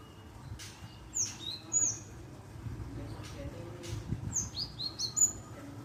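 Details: Java sparrow calls used to lure an answer: scattered single high, thin chips and short tinny notes, some in pairs, with faint low background rumble.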